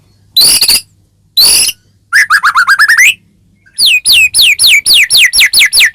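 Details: Caged white-rumped shama song meant to provoke another shama: two harsh high bursts, a rapid rising twitter, then a steady run of about twelve clear downward-slurred whistles.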